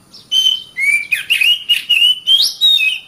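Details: Oriental magpie-robin (kacer) song meant as a master recording for training caged birds: a clear whistle, then a quick string of varied sliding whistled notes rising and falling, ending on a high swoop.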